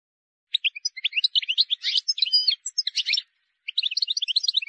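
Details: Song of a wild goldfinch, played to tutor young birds: a dense, liquid tumble of high chirps, twitters and short nasal buzzes, pausing briefly before resuming.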